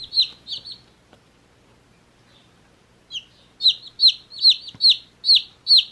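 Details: Two high peeps from one-day-old chicks, almost two seconds of near silence, then a fast regular series of shrill falling chirps, roughly two or three per second.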